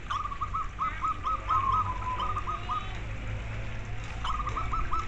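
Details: Local zebra dove song, used as therapy to get other doves singing: quick staccato run of short cooing notes, a brief pause, then another burst, over steady low hum.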